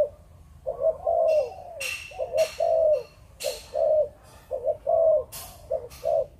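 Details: Spotted dove, Malaysian breeding line, in Chụp Chụp Ô style: rhythmic low coo phrases roughly once a second, each a short stutter and a sustained coo, over repeated dry clicking and tapping sounds.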